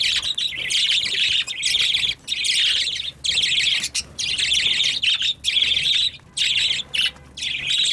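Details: Piercing bird squawks in repeated bursts of roughly a second, separated by sharp short silences, giving a choppy, insistent rhythm.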